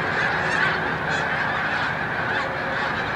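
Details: Snow geese on migration near its peak at Montezuma, New York, on 7 March 2022: a huge flock gives a dense, unbroken din of overlapping nasal honks and yelps, with no single bird standing out.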